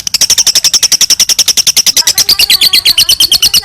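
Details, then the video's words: Lovebird giving a long chattering trill known as ngekek, used as a model for training other birds: loud rapid repeated sharp notes, about seven per second, steady high pitch that drops slightly partway through. "LOVE BIRD NGEKEK PANJANG COCOK BUAT MASTERAN"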